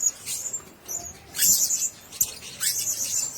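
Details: Several shrill, high squeaky bursts from caged blue-crowned hanging parrots, separated by short quiet gaps, with a sharp click near the middle.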